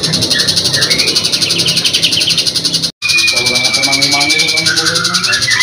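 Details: Long-tailed shrike in energetic, full song, its repertoire filled with magpie-robin phrases: fast, scratchy chatter of rapid notes mixed with thin drawn-out whistles, broken by a brief silent cut midway; faint background murmur.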